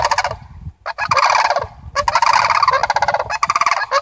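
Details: Near-continuous overlapping rattles from a family of visiting Sandhill Cranes, rolling, trumpeting phrases running together with only brief gaps.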